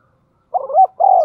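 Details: Decoy spotted dove gives a single short, hoarse phrase: a wavering stuttered note running into a steady low coo, with a click at the very end.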